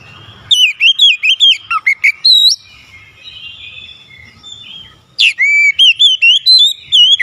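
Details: Vigorous oriental magpie-robin song meant to get a lazy magpie-robin singing: two long runs of rapid, undulating whistled notes, the first ending in a few lower slurs, with quiet between.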